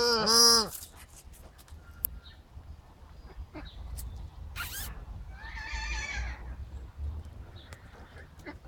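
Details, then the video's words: Paradise shelduck giving a loud, nasal honk, then a higher, harsher call several seconds later, over a low background rumble and scattered clicks. "The funny sound of Paradise Shelducks."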